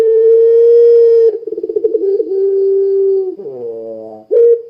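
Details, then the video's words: Long-cooing pelung Barbary dove in full voice, used to set other doves singing: a drawn-out steady low hoot, a fast throbbing roll, a second level hoot, a buzzy descending slur, and a brief final hoot. "Suara Burung Puter Pelung Gacor Sangat Ampuh Menjadikan Puter Lain Ikut Bunyi"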